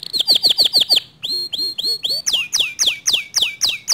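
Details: Canary song said to rouse other canaries: rapid falling chirps, a few shorter rising whistled notes, then a steady run of loud sweeping notes about four per second.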